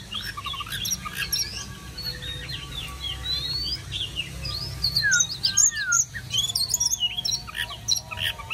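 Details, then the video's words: Oriental magpie-robin singing to welcome summer: a rich, varied run of clear whistles, slurred notes and quick chirps that grows louder and busier after about five seconds, over faint steady tones and a low background hum. "Chòe than uốn hót đón hè sang"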